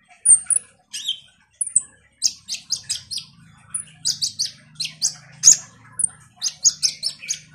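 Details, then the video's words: Konin sunbird singing busily to stimulate a lazy kolibri ninja: thin very high whistles mixed with dense runs of sharp chirps, repeated in quick bursts over several seconds. "Pancingan KONIN GACOR INI AMPUH bikin Kolibri Ninja MALAS jadi RAJIN BUNYI"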